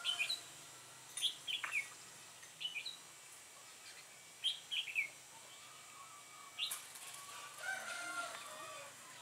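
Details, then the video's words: Red-whiskered bulbul recorded during trapping on an overcast day, 4 March 2017. Short bright chirped phrases of two or three quick notes come in scattered bursts, with a few isolated sharp notes over a steady faint hiss. "Bẫy chào mào cui ngày âm u 4/3/2017 phần cuối"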